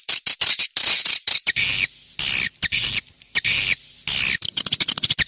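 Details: Swiftlet lure call played to attract swiftlets, an old recording dated 1972: sharp, very high clicking chirps in rapid series alternating with longer buzzy rasping bursts, separated by short silences.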